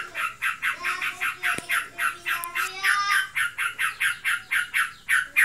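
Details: A kept Yellow-vented Bulbul (trocokan) in breeding condition gives ngebren: fast, harsh, buzzy notes repeated about four times a second in a steady stream, with faint background hum indoors.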